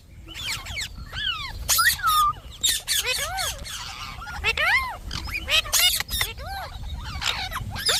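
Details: Pet Indian ringneck parakeet known as a talking parrot, mixing fast shrill squawks with a few drawn whistled slides, near-continuous chatter for several seconds.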